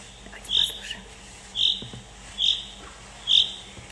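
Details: Common chaffinch on the Curonian Spit gives its rain call, said to foretell rain: short, high single notes about once a second, four in a row, over a faint low background murmur.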